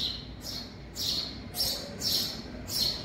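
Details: In a garage, young house sparrows call with loud, scratchy, high-pitched chirps. The notes come roughly twice a second in an uneven series, with a faint low hum underneath.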